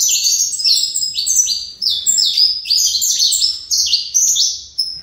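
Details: Captive-bred saffron finch from a breeder singing in the fibra style: rapid, dense run of bright, high chirps sliding downward, packed tightly with barely a pause across the whole stretch.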